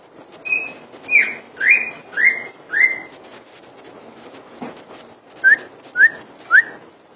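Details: Common iora repeating upward-sweeping whistles, five long slurred notes at a steady pace, a brief knock, then three shorter, sharper rising whistles evenly spaced.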